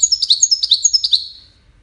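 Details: Widani European goldfinch giving a short burst of song: quick, bright, high twittering notes that rise and fall rapidly for about a second, then fade out.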